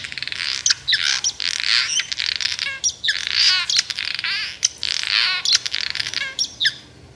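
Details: A Barn Swallow in the Amazon rainforest, where it migrates for certain times of year, gives a busy stream of high twittering chirps and short buzzy rattles, with brief pauses between bursts.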